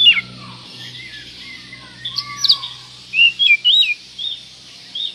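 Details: Oriental magpie-robin (kacer) song played as a lure to provoke other magpie-robins: clear whistled notes, sliding and varied, with quick rising-and-falling phrases bunched in the second half, over a faint low hum.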